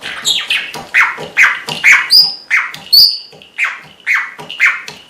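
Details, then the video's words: Caged red-rumped parrot copying a neighbour's barking small dog: clipped, downward-sliding yelps repeated roughly once a second, punctuated by thin high whistled notes. "RED RUMP PARROT BARKING LIKE A DOG"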